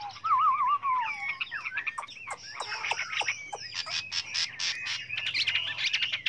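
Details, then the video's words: Chinese hwamei song with many voices, used for training other birds: an opening wavering, warbled whistle, then mixed sharp clicks, slurred whistles and buzzy high notes packed closely together. "Luyện chú chim họa mi hót hay"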